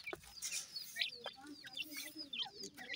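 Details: Feeding Irani partridge chicks peep softly in thin, high downslurred notes, a few quick chirps scattered over a faint hissing background.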